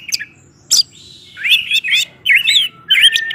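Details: Orange-headed thrush singing nonstop 'gacor teler' song as a lure for other males; sharp chips followed by looping whistled phrases, wavering and bouncing, in bursts about half a second long.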